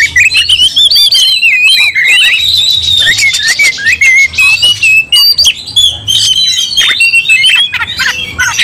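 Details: Aggressive White-rumped shama in a fighting song: long ribbons of rapid whistled trills with harsh buzzy bursts and clicks, nearly unbroken, close and loud.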